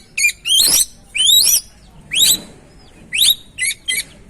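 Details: An oriental magpie-robin sings as a lure to trigger song in a silent bird: rapid, high, rising whistled sweeps in dense bursts, then a few short chips, clean and loud.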